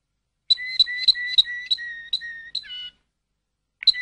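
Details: Malinois canary, Waterslager breed, repeating pure whistled notes about three per second, closing with a short descending warble before a pause and a fresh note.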